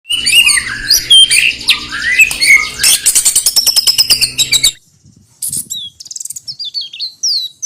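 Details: White-rumped shama played to provoke rival birds before hanging the cage: dense, varied high chattering and whistled phrases for about five seconds, a brief pause, then sparser sharp chirps and upslurred whistles.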